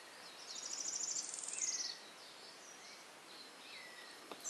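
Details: A streaked flycatcher building a nest in Atlantic Forest at RPPN Corredeiras do Rio Itajaí, Itaiópolis, Santa Catarina, Brazil, gives a fast, high, squeaky chatter of clipped notes just over a second long, then faint thin whistles of other birds and soft hiss.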